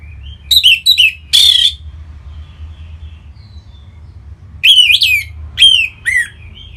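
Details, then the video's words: Song of an orange-headed thrush from northern Bali, played to prompt other birds into song: two loud bursts of quick, sweeping whistled notes and a harsher rasping note, with soft thin whistles between and steady low hum. "Punglor Merah Lagi Berkicau.. Untuk Pancingan Bunyi"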